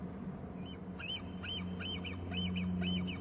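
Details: Eaglet calling: a steady series of high, thin chip notes, roughly three or four each second, over a constant low hum.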